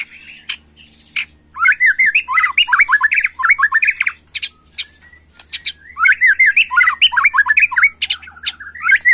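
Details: White-rumped shama, agitated, singing in macul style: two bursts of rapid, harsh, chattering notes repeated many times, separated by short pauses, with sharp clicks in between.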